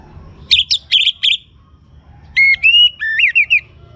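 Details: Song of a young orange-headed thrush, meant to spur other birds into singing: a few sharp high chips, then a pause, then rich whistled phrases that slide and waver in pitch, with faint background noise.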